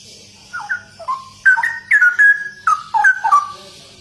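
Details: Straw-headed bulbul singing in full 'gacor' form: a run of liquid, warbling whistles that grows louder after a soft start, each phrase a quick slurred rise and fall, over a faint steady hum.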